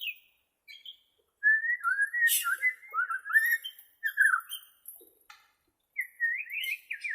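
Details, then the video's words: Natural song of a white-rumped shama from Borneo, used to train captive birds: quick whistled and warbled phrases that swoop up and down, with sharp clicks, a pause, then a fresh rising run of notes. "SUARA ASLI BURUNG MURAI BORNEO"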